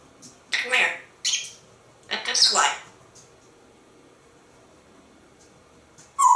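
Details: Talkative male African grey parrot, hatched in 1997, indoors in an office of a Texas home, bossily asking for a cookie; several short, raspy word-like bursts in the first three seconds, then quiet, with a sharp note at the end.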